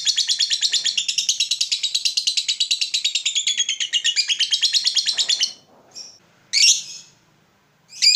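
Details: Long 'ngekek' chatter of a lovebird, used as a lure for other lovebirds: a fast, high, rattling trill of quick repeated notes for about five and a half seconds, followed by a few separate sharp chirps.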